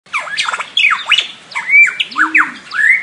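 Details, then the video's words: A lyrebird pours out a rapid jumble of loud, harsh squawks and sweeping whistled notes that rise and fall in quick, varied succession. "LyreBird Calling"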